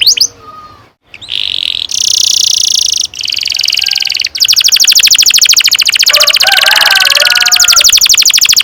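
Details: Canary pouring out a long rolling song, ngerol panjang, meant to coax young canaries into singing: short buzzy tours broken by pauses, then a sustained fast trill lasting over four seconds with softer chirps mixed underneath.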